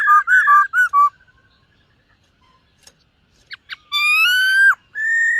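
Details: Silver-eared laughingthrush singing and dancing during morning voice training. Loud, clear whistled notes with rich overtones: a quick run of short slurred whistles, a pause, two sharp notes, then a long level whistle and a final sustained note.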